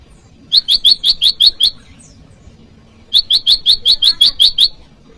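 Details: Bar-winged prinia call meant to challenge a rival, used for luring wild birds and training cage birds: two bursts of about seven rapid, sharp high chips each, separated by a pause of roughly one and a half seconds.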